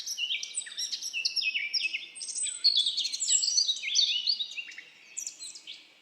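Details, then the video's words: Birds singing in a forest: a dense, overlapping chorus of high, quick twittering phrases, sharp chirps and short descending whistles, several voices heard at once with no pause. "Birds singing"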